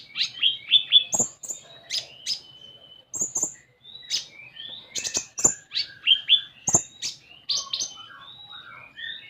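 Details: Continuous common iora song for making an untrained konin sing. Bright high chirps, thin whistles and sharp clicks, with softer twittering notes in a lower register toward the end.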